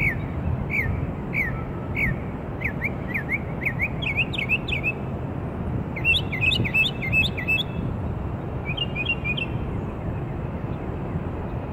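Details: Northern mockingbird singing in Maryland on 27 March 2013: varied whistled, down-slurred notes, each phrase repeated several times before switching to a new, higher trilled phrase, over a steady low background rumble.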